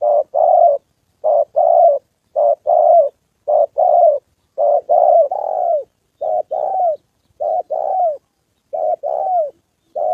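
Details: Decoy spotted dove in training for trapping, encountering a wild rival: steady series of mellow, low-pitched coos, short and long notes alternating in pairs, some ending with a downward slur, about one per second with no other sounds.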